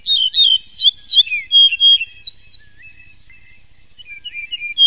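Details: Yellow-breasted bunting song: a quick run of high, sweet whistled notes, some slurred up and down, fading into a pause before a softer closing phrase.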